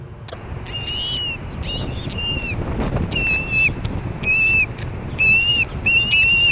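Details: Ospreys at a Missoula nest camera, 4 September 2012, evening, two birds squabbling over dinner; sharp whistled calls with rising-falling harmonics repeated about once a second, growing louder toward the end over wind rumble.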